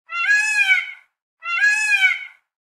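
A peacock gives two loud, nasal, wailing cries, each about a second long with a slight rise and fall, separated by a brief pause.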